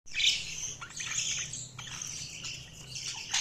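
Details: Budgerigars chirping: dense, high, scratchy twittering with overlapping chirps and short buzzy notes, continuous throughout with several birds apparently calling together.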